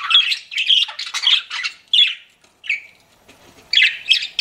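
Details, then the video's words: Pet budgies utter short scratchy chirps and squawks in separate bursts about every half second, a near-silent pause, then a fresh flurry of calls. "CUTE PET BUDGIES CHIRPING"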